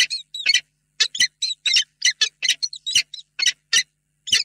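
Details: Pair of peregrine falcons together in their nest box, Reda, Poland, before evening, 28 February 2022, in a tender reunion. Scratchy, buzzing notes come in clustered bursts with short pauses, about eighteen in all.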